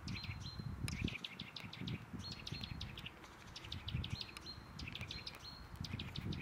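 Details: A Eurasian nuthatch at Žale cemetery, Ljubljana, on 18 February 2024 gives quick bursts of sharp, high notes with brief whistled tones between bursts, over a low rumble of distant traffic.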